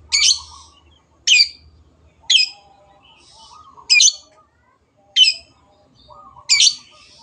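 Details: Long-tailed shrike repeating a short, scratchy, screechy note roughly every second, with quiet warbled fragments between the notes.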